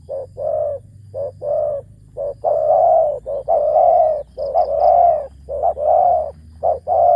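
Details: Decoy spotted dove with a big voice and ku ang kham cooing. There is a continuous sequence of paired short and long low coos, steady and rhythmic for seven seconds, with a faint low hum beneath.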